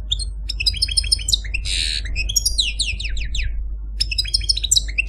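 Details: Caged male Algerian Parva goldfinch kept as a pet, singing a fast, complex song of bright twittering notes, buzzy trills and downslurred whistles, broken by short pauses, over a steady low indoor hum.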